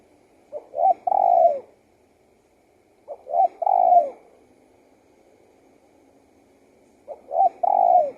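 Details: Spotted dove cooing, three phrases about three seconds apart, each with short introductory notes and a long, soft, slightly falling coo over faint background hum.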